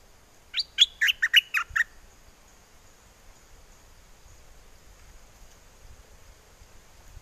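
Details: Mate-calling song of a caged bulbul with a wild-song style, Chana district, Songkhla, southern Thailand, in windy weather: a tight burst of about six loud, warbling whistled notes in just over a second, then quiet.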